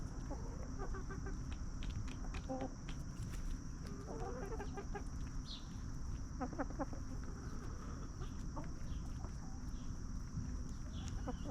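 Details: Backyard free-range hens roam, scratch and snack, clucking calmly. Short clipped clucks come in irregular bursts through the clip, sometimes several birds at once, over steady low rumble and a faint high-pitched hum.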